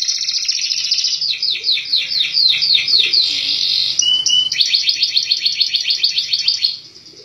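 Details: Sunned, vitamin-fed canary in clear 'gecor' song: rapid runs of repeated chirped notes, a short break near four seconds with a lower buzzy note, then another quick run that fades away at the close.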